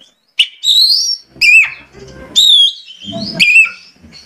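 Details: Oriental magpie-robin song used to draw out another bird's singing: a lively string of clear, high, slurred whistles and short chattering notes, phrases following each other about once a second, with a faint low rumble beneath.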